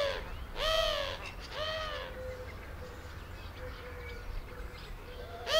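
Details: Eurasian collared dove giving two harsh, wheezy, arching calls about a second apart, then a third, its wheezy purring flight call, over faint low cooing and steady hum.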